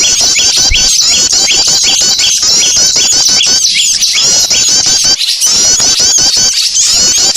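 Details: A crowd of small birds chattering loudly, as played to lure birds in: steady high-pitched twittering and squeaky rising notes, unbroken from start to end.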